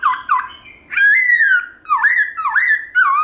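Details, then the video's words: Black-throated laughingthrush (Garrulax chinensis) singing wild-style to excite kept birds into song: quick dipping notes open a run of loud, full whistles that twist up and down, repeated roughly every half second. "Khướu bạc má hót giọng rừng kích khướu nhà bạn căng lửa"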